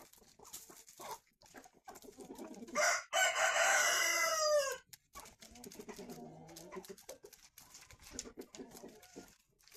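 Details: Chickens eating in the morning; a rooster gives one loud crow lasting about two seconds, a strained falling cry, amid soft clucking from the flock and pecking noises.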